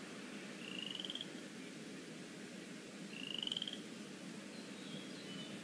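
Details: Young eagles at the Decorah North nest, afternoon of 13 April 2017, pinfeathers beginning to appear; a pair of short, thin rising whistles about two and a half seconds apart against constant low rumble.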